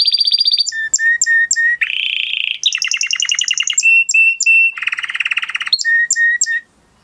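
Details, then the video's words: Excited 'mast' male canary singing varied tours: a high trill, clipped paired notes, a lower buzzy rattle, a dense bright trill, steady whistled notes, and a rich low churring roll before falling silent. "Beautiful canary song اواز زيباي قناري نر مست"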